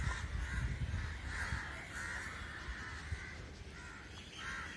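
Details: Big flock of crows gathered together, calling all at once; grating caws overlap in waves of rising and falling intensity, over a strong low rumble of wind or traffic.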